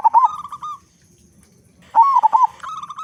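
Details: Local zebra dove with a big voice, singing keenly, used as a lure to get other doves singing fast: two cooing phrases about two seconds apart, each a quick rolling burst of hooked coos easing into steadier level notes.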